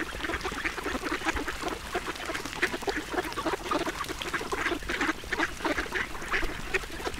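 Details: Quick, rough quacks and clicking dabbling sounds from a duck being fed, repeated without pause for about seven seconds.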